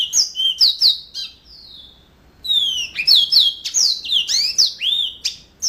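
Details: Sweet canary-like phrases from a yellow-fronted canary in gacor song, with quick slurred whistles, a drawn-out falling note, a short pause, then a dense burst of high chirps and swoops.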